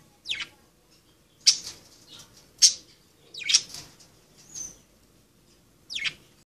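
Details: Budgerigars playing, giving short, sharp, high-pitched chirps in separate bursts, five over about six seconds at an uneven pace, with quiet gaps between and a faint low background hum.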